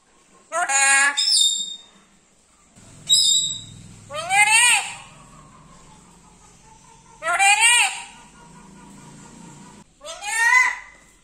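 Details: Black-capped lory kept as a pet, talking sweetly: five nasal, wavering word-like utterances that rise and fall, spaced a few seconds apart, with low room hum between them.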